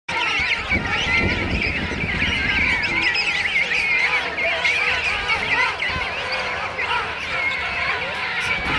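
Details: Thousands of King Penguins in a huge wild colony at Right Whale Bay, South Georgia Island, on Christmas morning 2008; dense chorus of overlapping trumpeting, warbling calls, steady throughout, with a brief low rumbling burst early on.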